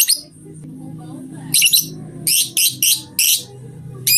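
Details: Lovebird from a ngetik masteran recording: a handful of short, harsh high bursts in a loose cluster, with a low hum between them.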